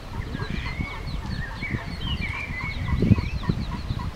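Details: Mallards, Anas platyrhynchos, in Endcliffe Park, Sheffield, as males attack and force a female with ducklings to mate: a quick, steady series of short, soft peeps over splashing water, with other birds singing higher in the background.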